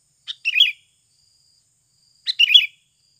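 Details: Sooty-headed bulbul in a natural lure recording meant to get other birds singing quickly: two quick phrases, each a soft opening note followed by a bright warbled burst, two seconds apart, in an otherwise quiet background.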